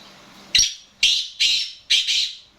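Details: Captive black francolin (kala teetar) calling: four harsh, buzzy bursts in quick succession, roughly half a second apart, loud and close, with only a faint low hum between them.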